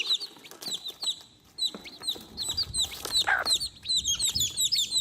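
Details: Chicks calling for their mother: many high, thin, downward-sliding peeps overlapping in a busy chorus, with scattered low clucks and faint scratching noises beneath.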